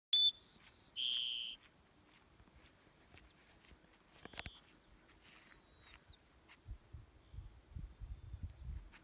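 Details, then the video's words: White-crowned sparrow song in Denali National Park, Alaska: a few clear, high whistles dropping into a short buzzy trill, followed by fainter thin notes and some low wind rumble. "White-crowned Sparrow Birdsong"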